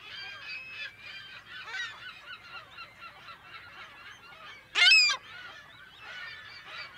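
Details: Many California gulls calling in a colony, exact recording date unknown, give a steady, overlapping chorus of harsh, nasal squeals, with one loud, close, rising cry standing out near the end.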